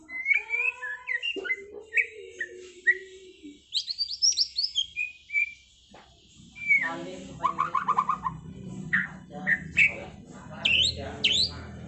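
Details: A white-rumped shama delivers trontolan ngeroll song: clear, varied whistles and low fluty notes, a brief pause, then rapid rolling trills and sharp upswept notes over a soft low rumble.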